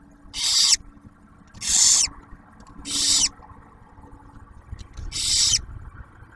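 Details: Nest-camera barn owls, Ottawa National Wildlife Refuge near Oak Harbor, Ohio; male drops off food while the female shares it with the newly hatched owlet. Four long, harsh, airy screeches, evenly loud, with quiet gaps.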